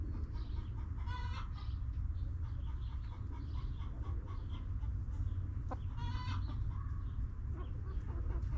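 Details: Backyard hens clucking in their coop. Two sharp, harmonic squawks sound about five seconds apart, with soft murmuring clucks and steady low-frequency noise throughout.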